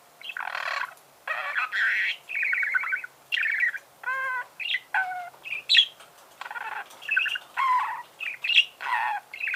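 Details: Singing budgerigar delivers a near-continuous stream of buzzy chirps, nasal warbles and quick trills, with short pauses between phrases.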